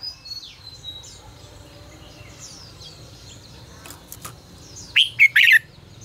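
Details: Red-whiskered bulbul singing 'ché căng lửa' style for voice training: thin, high chirps and sweeping calls of other birds over steady background noise, then a loud, quick three-note warbled whistle phrase near the end.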